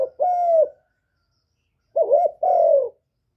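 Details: Spotted dove decoy cooing to stir caged doves into calling, recorded cleanly with no other sounds. A long, level coo is followed after a pause by a two-part phrase: a wavering note and a sustained descending coo.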